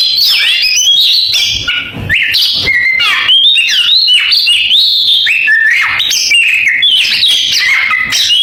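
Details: An Oriental magpie-robin delivering canary-imitation song: a long, unbroken medley of clear whistled notes, quick trills and short rising and falling slurs, energetic and highly varied.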